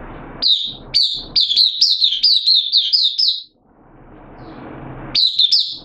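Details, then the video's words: Mata puteh, the oriental white-eye, singing in a cage during an open sing session, 8 September 2022, form dipped a little: a long run of rapid high chirps for three seconds, a pause with faint noise, then a short renewed burst. "Mata Puteh Kitaro Buka Sing 08092022"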